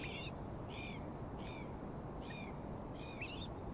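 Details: Common moorhens at Sammies Pool, Six Crowns Wood South, Fenton, Stoke on Trent, Staffordshire, UK, 14 December 2021: five short, sharp, high calls about every two-thirds of a second over low wind or distant traffic rumble. Common moorhen call.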